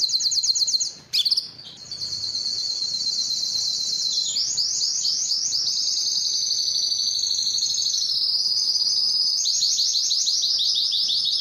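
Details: Canary singing a loud, high song of rapid repeated trills and rolling notes, with a brief sharp break near the start, then long sustained rattling trills that shift in pitch.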